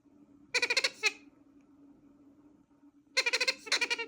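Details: Baby bronze-winged pionus, possibly begging or laughing: two bursts of rapid, raspy, stuttering notes, almost like bleating laughter, over a low steady hum.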